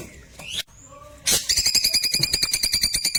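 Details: Klewer singing for white-rumped shama training: quiet whistles and a low hum-like note, then a loud onset and a rapid ringing rattle of repeated buzzy notes to the end.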